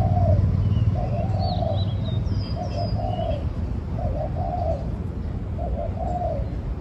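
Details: Spotted dove cooing in a regular rhythm, about five phrases of quick double notes then a drawn, slightly rolling coo. Faint high chirps from other birds and a steady low hum accompany it.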